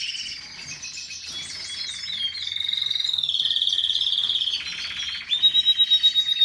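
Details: A canary's high singing: a rapid dry rattling trill, a long steady buzzy roll, then a quick pulsed series of loud notes repeated several times a second.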